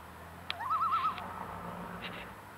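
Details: Common loon on a lake in the Black Hills, South Dakota, after sunset, giving a short wavering tremolo, a quavering laugh-like tone rising then pulsing rapidly for half a second, with a sharp click before it and quiet dusk background.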